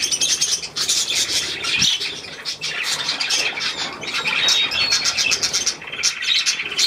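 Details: Budgerigars bathing in a shower, chattering with high scratchy squawks and chirps that run almost without pause, with a soft thump near two seconds.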